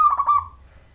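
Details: Brief phrase from a local wild Majapahit zebra dove singing as a lure for other doves. One loud, clear coo broken into quick pulses, fading out within half a second.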